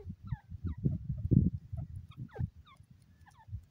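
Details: Grey francolin, known locally as teetar, calling: a quick series of sharp, high, slurred notes repeated several times, partly masked by loud low thumping and rumbling noise throughout.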